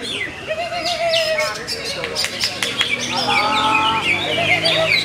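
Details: Contest-winning greater green leafbird with a rapid medley of sharp clicks, chirps and slurred whistles, plus a steadier lower warbling tone in the second half.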